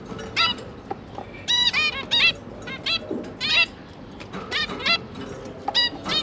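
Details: Zebra finches, two parents and their three newly hatched juveniles, during feeding: short nasal harmonic-rich calls in irregular bursts, some clustered in quick pairs and runs, roughly 45 per minute, over a low background hum.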